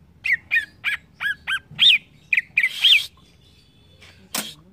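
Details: Green leafbird song for training young caged birds to reply quickly: a series of about ten arched, bent whistled notes with slight buzz, followed by quiet and one brief loud noise burst.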